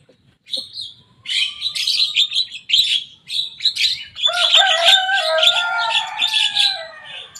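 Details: Young Javan myna imitating rival birds: rapid scratchy chatter builds into a full, dense phrase layered with several drawn-out falling whistles, notes coming about three per second.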